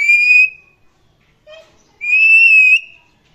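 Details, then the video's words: An Indian ringneck parrot (rose-ringed parakeet) gives two loud, steady, high whistled notes about two seconds apart, with a soft low chirp between them. "Indian Ringneck Parrot Chirping and Making Sounds"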